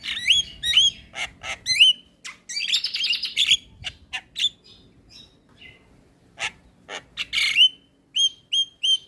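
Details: Javan myna singing vigorously in a recording made to train other mynas: rapid squeaky whistles and rasps, a brief buzzy rattle, scattered clicks, then a series of sharp rising whistles at the end.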